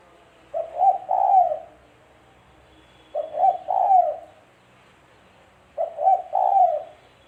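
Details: Local tekukur, or spotted dove, whose voice serves as trapping bait; three matching low phrases roughly every two and a half seconds, a clipped double note then a drawn, falling coo.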